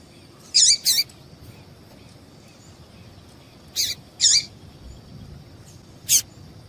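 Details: Female yellow-bellied seedeater call, used to stir up males for singing tournaments; paired high chirps with wavering notes, then a long pause, one more pair and a final sharp note, against a faint constant high tone.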